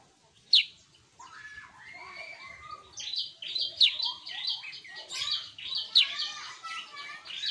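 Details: Sooty-headed bulbul singing actively: lively chattering, bubbly phrases mixed with short whistled notes, with sharp high chirps striking about every two seconds.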